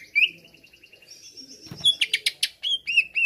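Greater green leafbird with high, thin whistled phrases and a held note, breaking into rapid harsh chattering bursts about four per second.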